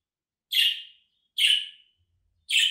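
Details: Budgerigar call used to bring an escaped pet back: three harsh, buzzy chirps about one second apart, each fading into a thin drawn-out tail, in an otherwise quiet background.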